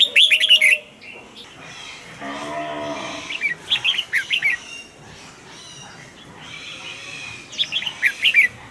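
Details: Red-whiskered bulbul in a cage giving warbled, bubbly phrases at the start and end, with softer song fragments between and a low, drawn-out harmonic sound in the middle.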